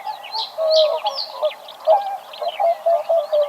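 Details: Greylag goose uttering short, nasal honks of uneven length, several in quick succession, while high, thin chirps from small birds sound in the background.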